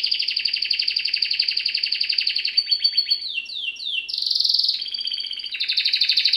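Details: A canary sings a long rapid rolling trill, then a few quick falling notes and a bright buzzy phrase, ending in another fast pulsing trill; high-pitched throughout with a clean background.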